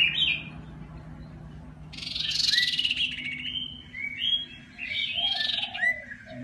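An iora sings clear, sweet whistled phrases in a high register, with rising and falling notes and a brief buzzy burst, against a low background hum.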